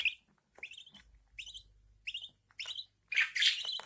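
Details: Newborn budgerigar chicks being fed by their mother. Several upward-sliding chirps, then a louder, harsher, squawking burst as the calling intensifies at the end.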